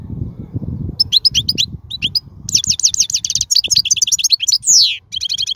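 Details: Wild European goldfinch singing, a recording used to train young birds: fast twittering phrases of high, bright notes, with quick buzzy trills and a descending slurred whistle near the end, over faint low background rumble.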